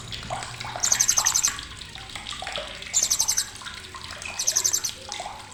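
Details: Blue-crowned hanging parrot giving sharp chattering, used as a training recording for songbirds: three very high, rapid bursts of about eight clipped ticking notes, each under a second, near the start, middle and end, over steady rushing background noise.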